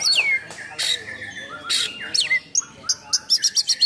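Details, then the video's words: Oriental magpie-robin delivering rough-filled song to provoke and train others of its kind: falling whistled slurs and raspy bursts, ending in a quick series of short bright repeated notes. "Kacer Gacor Full Nembak Isian Kasar Bikin Emosi Kacer mu"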